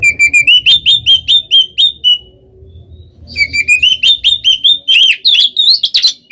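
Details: Oriental magpie-robin, a kept bird used to provoke others, repeating a clear whistled note over two hundred times a minute, pausing briefly, then resuming with rising, more varied whistles.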